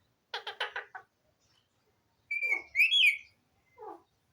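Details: Domestic talking Alexandrine parakeet (pahari tota): a quick burst of four raspy chattering notes, then a loud drawn-out whistled squeal that rises and wavers, closing with a short low note.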